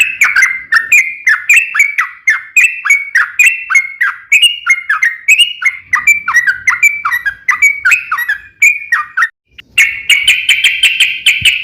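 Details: Yellow-vented bulbul in full, continuous long rapid song, used as a lure to make other bulbuls sing: bubbly, slurred whistled notes rising and falling in quick succession for about nine seconds, a brief pause, then a dense burst of chatter.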